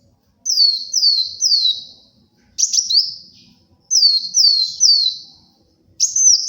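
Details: Sunbird singing in a luring and tutoring recording: two runs of three quick downslurred whistles, each run followed by a sharp rising-falling note, with clean pauses between.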